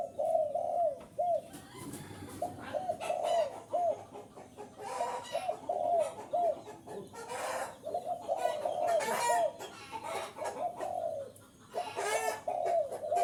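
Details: Spotted dove used to lure wild birds, giving repeated hollow coo phrases in steady runs, broken by loud rustling and knocking noises nearby.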